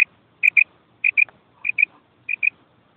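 A female quail gives soft, high, clipped notes in quick pairs, one pair roughly every 0.6 seconds, against a quiet background.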